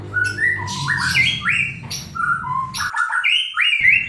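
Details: White-rumped shama song used as a lure for a bird reluctant to sing: a rich, varied sequence of whistled phrases jumping between pitches, some stepped and slurred, with harsh squawky notes and a brief silent gap near the end.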